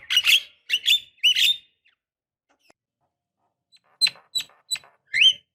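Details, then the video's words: Javan myna, female calling male, played as a lure for birds that will not sing: three grating, buzzy notes, a long pause, then three thin clipped notes and a final rising harsh note. "Pancingan Jalak Kebo Malas Bunyi Paling Ampuh, Dengar Suara Khas Jalak Kebo Gacor Auto Emosi"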